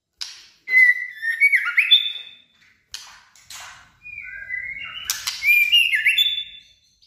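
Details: White-rumped shama singing in the wild forest voice, a female used to stir males: loud fluid whistled phrases stepping up and down in pitch, broken by brief gaps and scratchy clicks.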